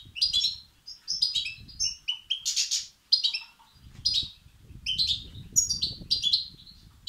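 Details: European goldfinch nestlings calling to be fed, played to stimulate males; bright, high twittering notes in quick clusters with a brief harsher burst midway and soft low rumble.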